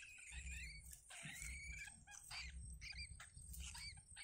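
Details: Young yellow bitterns in their nest, fed by the mother bird spitting out food; thin, high squeaky whistles and slurred chirps, some rising, mixed with scattered clicks and a low background hum.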